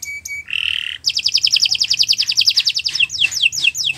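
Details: Canary in continuous master song for training other birds: two clear short notes, a buzzy burst, then a long rapid trill ending in falling whistles.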